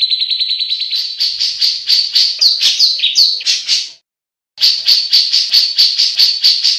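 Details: Clear ngebren song of a grey-cheeked bulbul, used as a tutor recording for songbirds: loud, rapid chattering notes, some slurred and rising, a half-second silence, then the fast high chatter resumes.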